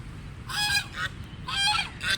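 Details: Ducks calling while feeding: loud nasal honking quacks in two short pairs, each harsh and buzzy, over steady low background rumble.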